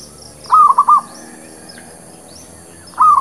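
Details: Zebra dove song used as a trapping lure: one rapid triple cooing phrase, then a second phrase starting near the end, over faint distant bird chirps.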